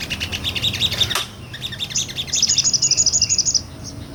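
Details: Sunbird singing ngobra style, a real recording used to teach songbirds; a run of quick twittering notes, a sharp click, then a rapid, very high, evenly pulsed trill of a dozen or so notes.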